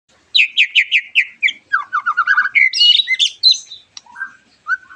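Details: White-rumped shama in full song, used as a lure to get other shamas to answer: a fast run of five buzzy repeated notes, then a lower rapid chattering series, then scattered sharp high notes and short slurred whistles.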